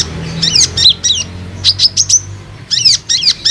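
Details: Olive-backed sunbird lure call aimed at young and group-kept sunbirds: clusters of sharp, high, slurred chirps, a fast run of four thin notes midway, then another burst of chirps.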